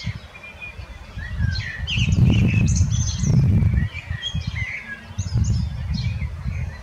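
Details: Song of a common blackbird (Turdus merula): a mix of high scratchy twittering and short mellow notes, partly masked by gusts of low wind noise.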